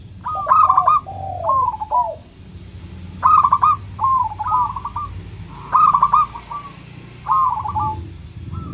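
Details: Local Indonesian zebra dove in crystal-voiced style, played as a lure to prompt reluctant doves to sing: bright trilled coo phrases repeated every couple of seconds, each a rolling burst followed by softer sliding notes, over a low steady hum.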